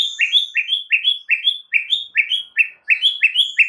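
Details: Shama song meant to prompt other birds to sing, a steady string of paired rising whistled phrases repeated roughly every third of a second throughout.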